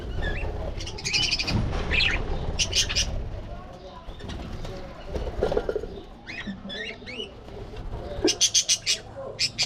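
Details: Pet budgerigars playing, fighting and grooming, giving short warbled chirps and squeaks in scattered bursts, with a low rumbling background and a run of sharp rapid clicks near the end.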